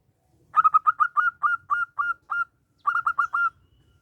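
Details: Local zebra dove singing actively, its small-voiced challenging song used as a lure: rapid series of about nine clear cooing notes, accelerating then spacing out, a short pause, then four more quick notes; quiet background.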